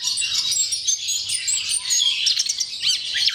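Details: Orange-headed thrush song used to stimulate other thrushes to sing: a dense, continuous stream of high twittering and chirping notes with rapid sweeps near the end, no pauses.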